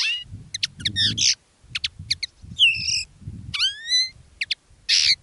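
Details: Common linnets kept as decoy birds, two singing live in different styles: quick chattering twitters alternating with clear rising whistled notes, short pauses between phrases, faint low rumble below.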